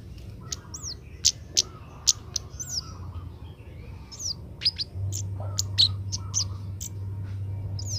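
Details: Oriental magpie-robin, a young bird learning its song, gives quick high chirps and short downward-slurred whistles in irregular bursts, over a low hum that grows louder partway through.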